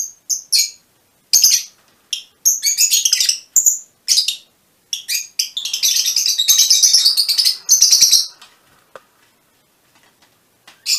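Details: Bursts of piercing chirps and fast twittering from mutation Fischer's lovebirds, broken by pauses, fading to near silence toward the end.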